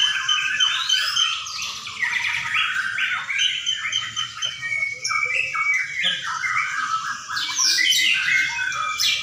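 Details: White-rumped shama song from a singing contest ring in Sidareja: fast varied phrases of clear whistles, downslurs and scratchy chatter, several birds overlapping with no pause, soft crowd noise underneath.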